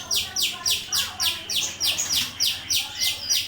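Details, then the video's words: A starling, recorded as master material for other birds, repeats evenly spaced buzzy downslurred notes, about three to four per second, in a regular rhythm. "Suara Masteran burung jalak"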